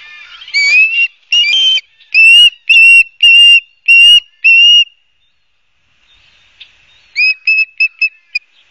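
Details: Ospreys at their Barnegat Light nest in New Jersey, 12 September 2022, captured by live cam: seven loud slurred whistles in a row, a short silence, then a burst of shorter, quick chirped notes.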